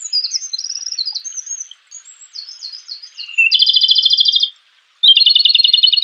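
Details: Wild Japanese robin, or komadori, in energetic song: high slurred whistles and warbled notes give way to two loud, rapid rattling trills of about a second each, separated by a brief silence.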